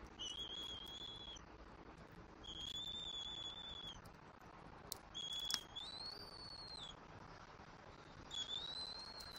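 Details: Bald eagle at a nest in Southwest Florida on 5 February 2024, an eaglet being fed fish by its parents; thin high whistled notes, each held about a second and often slurred upward, repeated in four bursts with short gaps.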